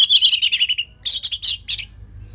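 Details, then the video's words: Orange-headed thrush singing in a relaxed, steady style, used as a lure for training other songbirds: a loud, dense, slightly descending warble followed by three quick scratchy, twittering bursts. "Dipancing Dengan Kicauan ANIS MERAH Gacor Selow"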